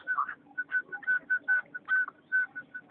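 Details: Chukar partridge recorded on 7 April 2012, giving a rhythmic series of short, clear whistled notes, roughly four per second, at an even mid pitch with brief gaps between them; faint low hum in the background.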